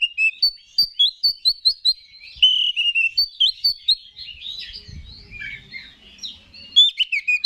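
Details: Oriental magpie-robin in lively provoking song: rapid repeated chirped notes, sustained sweet whistles and varied warbled phrases, with a faint low rustling noise partway through.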